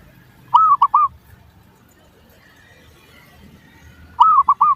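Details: Lure recording of zebra dove song meant to make other doves respond. Two phrases about three and a half seconds apart, each a slurred first coo followed by two clipped cooing notes, with faint low rumbling between.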